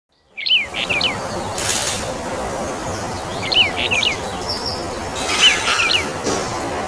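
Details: Brown bullfinch of the Taiwan subspecies uchidae giving short phrases of two or three clear downslurred whistled notes, repeated about every two and a half seconds over a steady hiss of background noise.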